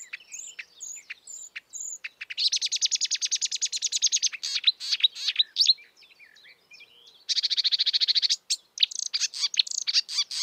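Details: A marsh warbler (kerak basi) in the wild: thin high whistles, then a long dry buzzing rattle, scattered sharp chirps, a second rattle and a closing burst of varied notes.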